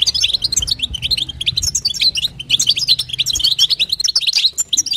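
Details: Female goldfinch giving calls meant to stimulate the male, a quick liquid chatter of high chirps and trills packed closely together, with a low background hum.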